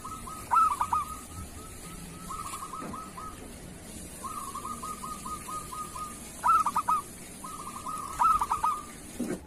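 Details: Local zebra dove singing, a recording meant to coax lazy or moulting doves into song. Three loud phrases of quick, bubbling coo notes stand out, with softer runs of evenly spaced coos filling the gaps.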